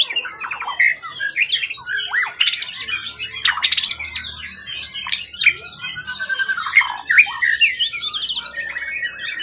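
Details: A long-kept, non-skittish contest bird from the wild, tail over 20 cm, delivers a continuous medley of chirps, squeaky whistles and sharp clicks, busy and varied for almost ten seconds.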